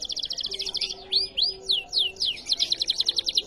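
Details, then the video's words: Canary in riwikan style: a fast pulsed trill, then four or five loud downward-curving whistled notes, and another rapid bright trill to finish. "Riwikan Burung Kenari"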